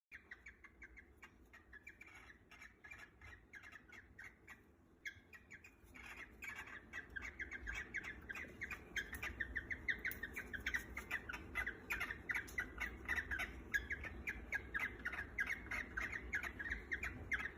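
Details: Cockatiels sing with rapid, repeated chirps and squawky whistles during courtship and mating, at home. Finding: Cockatiel.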